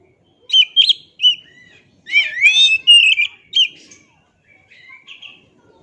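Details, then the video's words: Oriental magpie-robin song used as master audio: a few sharp chips, then a sweeping whistled phrase and bright notes, trailing off into faint, thin whistles. "Dengar Suara Asli Kacer Ini"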